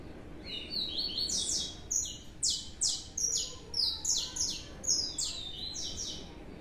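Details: Pair of young Blue-black Grassquits kept in captivity after being separated, giving a lively run of high, buzzy, clipped notes, roughly three per second, varying slightly in pitch, with quiet room noise beneath.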